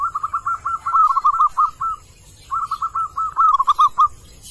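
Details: Wild male zebra dove calling, used to lure wild birds: two long runs of rapid, rolling staccato coo notes, each run slightly accelerating, separated by a short pause.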